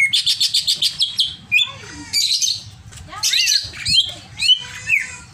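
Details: Agitated, over-excited greater green leafbird opening with a rapid run of six or seven high chattering notes, then varied squeaky swoops, buzzy bursts and short rising whistles.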